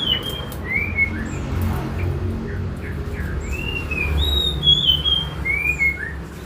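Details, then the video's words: Caged yellow-eyed babbler in a singing contest against a magpie robin. Clear whistled phrases, some rising and some falling, repeat about once a second. They are set over a steady low hum with faint background chatter. "kutilang sutra SUPER GACOR vs Kacer adu kicau"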